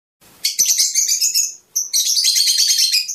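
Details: Fischer's lovebirds singing, a sound used to stimulate mating: a shrill, dense chatter of high squeaky notes in two long bursts separated by a short pause, with no other sounds.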